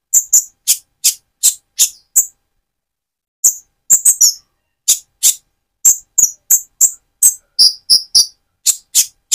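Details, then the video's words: Van Hasselt's sunbird with speckled plumage, actively singing, used as a lure to stir another bird's emotions; very high, thin, sharp chips and short notes in quick irregular bursts, with a short pause near the start, otherwise clean background. "Burung Konin trotol gacor untuk pancingan menaikan mental emosi kolibri ninja"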